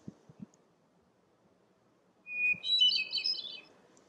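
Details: A Hermit Thrush sings in a bog at Parc Frontenac, St-Daniel sector, Quebec, near Grand Lac St-François: one clear held whistle, then a rising, echoing flurry of higher flutelike notes, after a few soft thumps.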